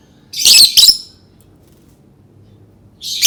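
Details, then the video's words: Lovebird giving two harsh, high chattering shrieks in quick succession, then silence and a third burst starting at the end; dry rasping tone, no other sounds. "Suara burung lovebird"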